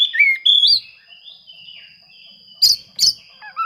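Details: Oriental magpie-robin song aimed at rivals, used to get quiet birds singing: a few clear whistled notes, then a long faint steady tone and two sharp chipping bursts with softer phrases at the end.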